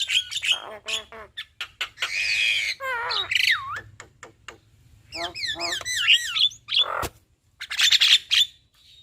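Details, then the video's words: Male and female Javan mynas in duet, mixing harsh rasping squawks, sharp clicks and wavy looping whistles, with a loud buzzy burst in the middle and bright chirps to finish. "Jalak Kebo Jantan Dan Jalak Kebo Betina GAcor Duet Kicauan Jalak Kebo"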